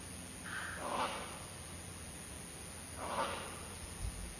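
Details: Great hornbills, a group of six or seven visiting a backyard at Janda Baik on 25 January 2021, give two harsh, hoarse barking calls about two and a half seconds apart over a steady high insect drone.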